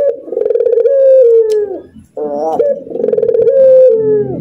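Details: Two bouts of laughter from a caged Barbary dove: buzzing, pulsed coos that glide downward, with a stuttering laugh between them after a brief pause.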